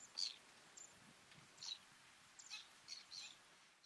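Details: Little Stint (Calidris minuta) calling at Delta de l'Ebre, Spain, in August 2015: five or six short, high, thin 'stit' notes at irregular intervals over a soft background hiss.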